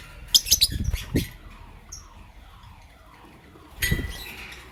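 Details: Pet lovebirds, Lutino and Blue Opaline, chirping in the morning: a burst of sharp, harsh chirps early on, a lone high squeak, then a short rasping chirp near the end after a quiet gap.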